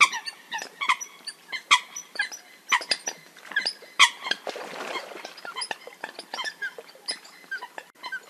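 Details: Eurasian coot (Fulica atra) calling in a busy, uneven stream of short squeaky notes and sharp yelps. Some louder accents stand out, with a brief burst of rougher noise midway.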